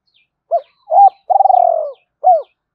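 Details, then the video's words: Spotted dove cooing in the 'hai hậu' calling style, used to stir up wild doves: a short arched note, a doubled hooting note, then a long pulsed coo sliding downward, and a final arched note. No other sounds. "Tiếng chim cu gáy gọi hai hậu/ chim cu gay kich boi nhanh noi gù kích bổi hiệu quả"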